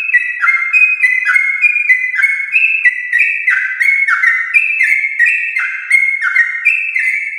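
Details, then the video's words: Long 'gacor ropel' song of a champion-line yellow-vented bulbul, played to spur pet bulbuls into singing; continuous run of clear, ringing whistled notes at alternating pitches, each note sliding briefly, without pauses. "Trucukan gacor ropel panjang TRAH JUARA untuk pancingan trucuk rumahan"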